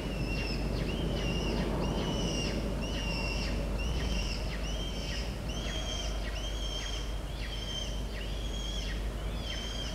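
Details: Peregrine falcon chick home alone at the nest, 3 October 2023: harsh, slightly downslurred chirps with a bright overtone, repeated about once a second in a steady series over constant low rumbling background noise.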